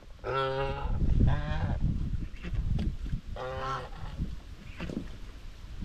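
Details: Domestic White Chinese geese grazing together on a homestead, in quiet social talk; three drawn-out, harmonic honks, each about half a second, with low rumbling noise underneath and softer calls between.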